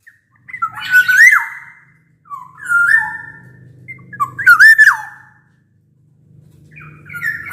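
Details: Black-naped oriole, a kepodang in peak singing form, kept as a songbird and used as a lure to get reluctant orioles to sing. Loud, fluty whistled phrases with harsh raspy edges, four bursts at roughly two-second spacing, in quiet surroundings.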